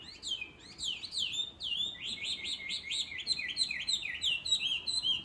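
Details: Countryside Chinese hwamei, heard every morning and likened to a bird that talks: loud, bright, sharply swooping whistled notes in fast irregular series, with each phrase sliding down and many quick repeats.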